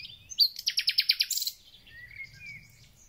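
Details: Thrush nightingale in full song at the start of spring: a burst of about ten rapid, loud, repeated clicking notes, with thin whistled phrases from other birds fading afterwards.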